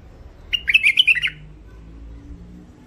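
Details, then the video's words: Hybrid finch (mule) described as thick-throated: a compact run of bright, scratchy chirps lasting under a second, followed by low room noise. "مخلف وحشي علوازي أول عزله حنجره ثخينه"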